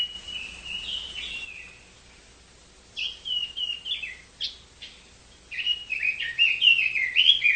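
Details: Rich whistled song of a Chinese hwamei in three bursts separated by short pauses, each a rapid string of warbling, up-and-down slurred notes over faint background hiss.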